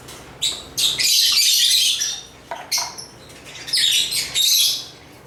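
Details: African lovebirds chirping: several bursts of harsh, high-pitched twittering of uneven length, with quieter pauses and brief single chirps between the louder stretches.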